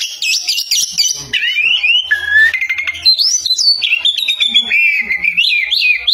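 An Oriental magpie-robin sings loud, varied whistled phrases, sliding up and down and mixed with scratchy notes, in an unbroken run. A faint low hum sounds briefly.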